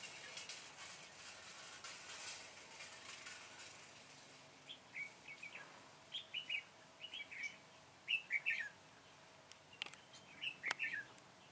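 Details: Red-whiskered bulbul during a trapping session on 21 September 2017, targeting the flock leader. After a noisy start, short bright whistled phrases of two or three notes come every second or so, with sharp clicks between them.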